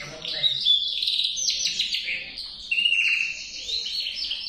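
A male canary sings a continuous, high, rapid run of rolling trills and bright warbles, shifting pitch every second or so, with no other clear sounds.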